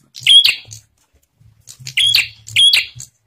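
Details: Bar-winged prinia singing to draw other prinias into song: three short, sharp, high chirping phrases, each a whistled note trailing into buzzy clicks, with a pause after the first and faint low thuds.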